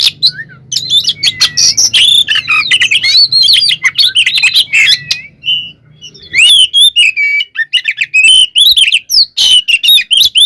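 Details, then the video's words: White-rumped shama singing its combative song to goad other shamas: loud, varied whistled phrases with rising and falling slurs and sharp clicks, a brief lull near the middle, then fast choppy notes. "SUARA BURUNG kacer gacor NGEPLONG tarung KONSLET ini AMPUH buat PANCINGAN KACER agar EMOSI NYAUT"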